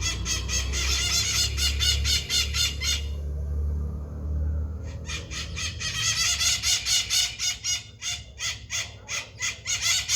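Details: Maritaca, a parakeet, making noise: rapid bursts of harsh, buzzy squawks, a pause of about three seconds with low rumble, then another long run of squawks repeated in quick succession.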